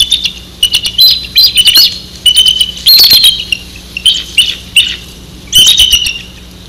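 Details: Bald eagle at the Maurice River calling to its mate with repeated bursts of high, piercing, squeaky chittering notes in quick series, broken by sharp clicks, with a faint steady low hum beneath.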